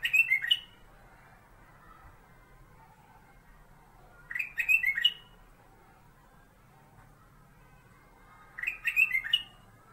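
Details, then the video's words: Kept golden-fronted bulbul, also called kutilang emas, whose song serves as a master for training magpie-robins: short bursts of rich, bubbling warbled notes about every four seconds, with quiet pauses and a low background hum. "BURUNG "KUTILANG EMAS" KU BERBUNYI...SUARA MASTER"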